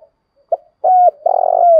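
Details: Spotted dove giving a fighting call meant to provoke a rival: a short soft coo, a longer level coo, then a rough rolling purr that slides into a falling drawn-out note, all mid-pitched.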